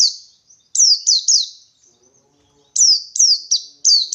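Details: Wild white-eye in the 123-beat 'ngalas' style, seeking a rival. High, piercing notes sweep downward in a tight run of three, then after a pause a longer run of four or five, each note crisp and separate.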